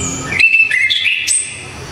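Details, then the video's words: Orange-headed thrush singing loudly and sharply: a two-second run of clear whistled notes holding mid-high pitches, a brief dip, then a leap to a very high thin note. "ANIS KEMBANG‼️SANG Legenda TANAH JAWA ‼️TEMBAKAN KERAAS‼️"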